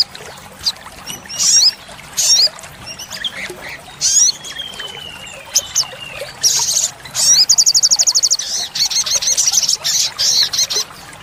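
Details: Olive-backed sunbird in a masteran recording for caged birds: scattered high chips and a thin falling whistle build into a loud, rapid, evenly ticking trill followed by a string of quick high phrases, over running water.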